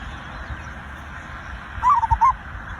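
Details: Zebra dove lure song to prompt other birds: one short burst of rapid stuttering coos near the end, preceded by steady hiss.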